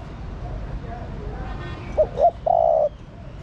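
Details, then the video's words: Spotted dove female giving her male-stimulating call: after a quiet stretch, two brief hooked coos lead into one long, level, low coo; faint distant chirps behind. "Cu Mái Thúc Trống. Chim Cu Gáy Mái Thúc Trống Nhạy Bén. Tiếng Chim Cu Mái Gáy Kích Bổi"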